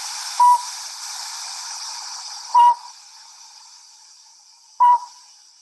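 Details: Northern Pygmy-Owl, New Mexico, a call heard in daytime that resembles songbirds: three short, clear, hollow toots on one steady pitch, a little over two seconds apart, over steady background hiss.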